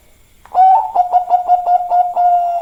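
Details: Zebra dove of the Bangkok type giving a lively, busy song: a short rising note, then a rapid run of about eight clipped, even coos on one pitch, ending in a longer held coo.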